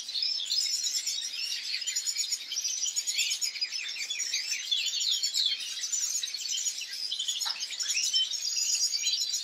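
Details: European goldfinch singing in a bird garden: a dense, continuous, high twittering of rapid chirps and trills that runs through the whole recording, with many overlapping notes and no clear pauses.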